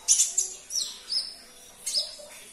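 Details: Short sunbird (kolibri ninja) sequence meant to make a stalled caged bird respond; sharp, very high chirps with brief downslurred notes, four or five in just over two seconds.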